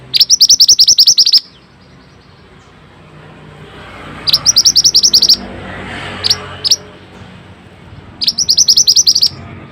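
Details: Masteran training recording of mantenan (pied bushchat): three separate bursts of quick, high, chattering notes, each about a second long, with a couple of lone notes between them and soft background noise.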